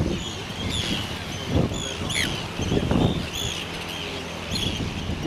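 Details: Several Arctic terns (Sterna paradisaea) on Inner Farne, Farne Islands, Northumberland, UK, on 6 June 2013, give short, harsh, grating cries overlapping in a noisy chorus over a low rumble of wind or surf.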